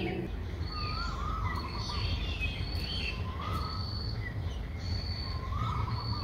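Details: Streak-eared bulbul nestling, six days old, begging in Ubon Ratchathani, Thailand, on 8 April 2023: short high steady whistled notes repeated about once a second, with lower slurred rising calls every couple of seconds over a low rumble.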